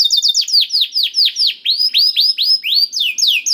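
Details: Canary song for prompting a silent bird: slow series of loud, clear whistled notes, each sweeping down then up, about three per second, with slightly varied pitch across the phrase.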